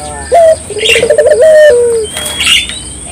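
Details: Barbary dove singing vigorously, played to stir local doves into song: a sharp opening note, then a low rolling trill and a long, steady, slightly falling coo, with faint high chirps of other birds behind.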